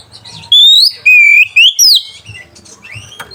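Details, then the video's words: Oriental magpie-robin singing as a provoking lure for rivals and mating arousal: four loud whistled notes, rising and level, the last one swooping down, followed by soft chirps. "PANCINGAN SUARA KACER PEMBANGKIT BIRAHI DAN EMOSI LAWAN"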